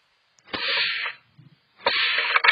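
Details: Black-capped Chickadee hiss alarm, or snake display: two harsh, breathy, half-second hisses with a soft thump between. It is given inside the nest, typically by a startled incubating female against an intruder, with wings slapping the cavity walls.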